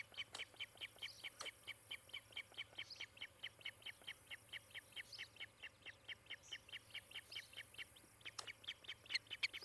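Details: Ospreys at their Charlo, Montana nest on 18 July 2018, captured by nest cam in the morning: a lengthy, slightly uneven chain of high whistled chirps, a few notes sharper and louder, continuing for nearly ten seconds over a low hum.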